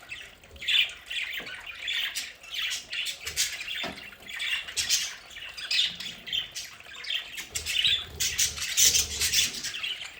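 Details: At home, a group of budgerigars keeps up steady, scratchy warbling with sharp squeaks and chirps layered over each other. Occasional soft low knocks sound beneath.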